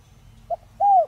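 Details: A spotted dove of the Đồng Rặc voice type, kept as a decoy to stir other doves into calling, utters a short soft note followed by one long, smooth, slightly falling coo.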